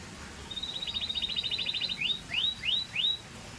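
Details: Scotch Fancy canary singing: a fast, even trill of bright notes held at one high pitch for about a second and a half, followed by four sharp rising whistled sweeps spaced roughly a third of a second apart.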